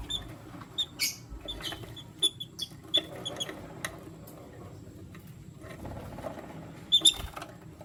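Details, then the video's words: Lutino lovebird chirping as one male picks between two females: short, clipped high chirps repeated at irregular intervals, a brief louder burst near the end, and low background hum. "Lutino Lovebird Chirping Sound"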